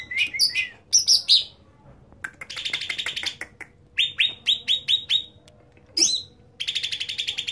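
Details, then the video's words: Loud, nonstop singing from a cucak ranting bulbul: sharp upslurred whistles, long dry buzzy trills and a quick run of repeated chips, delivered in bright high phrases separated by short gaps. "Cucak Ranting super gacorr"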